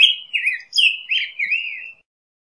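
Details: Black-headed grosbeak song: sweet, rolling whistled phrases strung together, with slurred notes rising and falling, ending after about two seconds.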